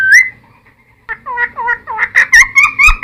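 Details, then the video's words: Cucak timor song meant for luring and tutoring birds: one long, level whistle, a brief quiet gap, then a string of wavering, slurred whistled notes that grow louder toward the end. "Cucak Timor Gacor Full Isian MP3 Untuk Pancingan Burung Bahan"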